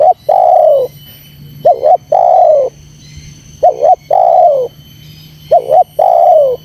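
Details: Lure call of a spotted dove meant to rile wild doves. It gives a short two-note coo, then a drawn-out, downward-sliding coo, four phrases at roughly two-second spacing. A constant thin high tone runs underneath.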